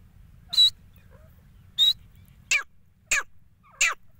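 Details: Grey francolin, described as male and female voices, used for hunting: two sharp high whistled notes followed by three descending harsh downslurred calls, spaced roughly every half second against a low background hum.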